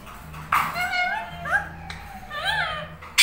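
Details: Tame Indian ringneck parakeets, one of them lutino, bonding and talking indoors; wavering, voice-like warbled phrases rising and falling in pitch, separated by short pauses, ending in an abrupt loud burst.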